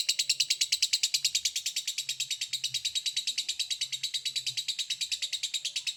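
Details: Lovebird in long 'ngekek' chatter, said to make other lovebirds respond: a very regular, fast train of high rasping pulses, about three per second, loud and continuous over a faint low hum.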